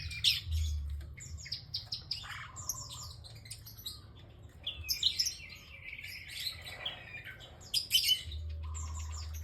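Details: Bar-winged prinia singing actively in bursts of sharp, high chirps and buzzy phrases with quieter gaps between them, over a low steady hum.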